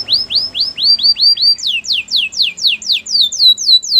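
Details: Canary training song of rising-and-falling whistled notes repeated about four times a second, shifting midway to sharper, higher down-slurred notes at a similar pace.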